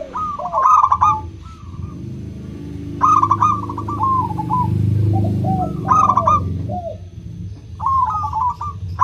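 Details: Crystal-voiced local zebra dove calling as a lure for doves that rarely sing. Loud bursts of rapid trilled cooing about every three seconds, with lower falling coos between, over a steady low rumble.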